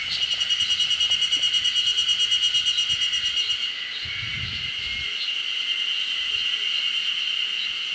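Eurasian nuthatch giving quick, high repeated notes, about three a second, for nearly four seconds, over a steady high insect-like drone.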